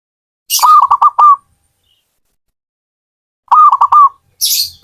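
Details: Zebra dove cooing in two clipped, rapid phrases about three seconds apart, with brief high hissing bursts before the first and after the second.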